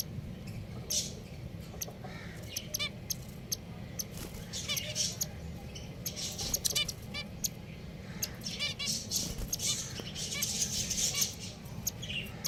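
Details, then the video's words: Pet finches giving short, bright chirping calls in scattered bursts, some in quick stuttering runs, over a steady low background hum. "Beautiful Finches #Sounds"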